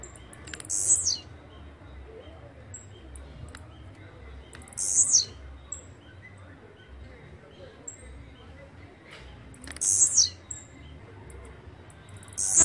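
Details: Blue-black grassquit, known locally as chirrío, pirra, tiziu or volantina, singing a short, very high buzzy phrase that ends in a falling slur, repeated four times at roughly four-to-five-second intervals, with faint thin whistles and low background rumble between.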